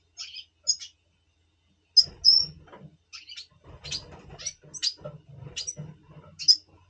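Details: A double pastel red siskin in breeding mood before breeding, November 2023, gives high, thin twittering notes and buzzy trills in quick bursts, with faint low rustling beneath.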